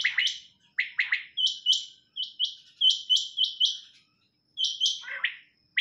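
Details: Calls of a female quail, bright clipped double notes rapidly repeated in short series, with one slightly lower, falling note near the end and a short pause midway; no other sounds stand out.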